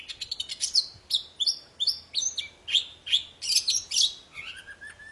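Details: Vigorous poci singing, used to make silent birds sing again: a fast run of short bright chirps and whistled notes, nearly three per second, ending with lower flat whistles.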